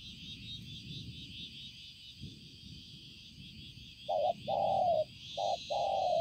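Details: Spotted dove used as a decoy, recorded 5 September 2020; after four seconds of low rumble and high hissing, two short-long paired coos sound near the end.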